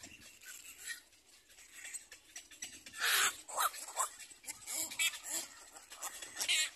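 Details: Little black cormorant chicks at the nest compete for food from their mother, begging with harsh, wheezy, hissing squeals in overlapping bursts that grow louder and busier in the second half, over a soft noisy background.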